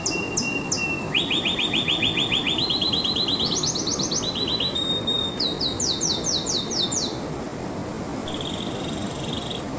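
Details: Excited canary singing a string of rapid trills, each held a second then shifted higher, ending in loud sweeping chips and a soft steady note, with a continuous hiss behind.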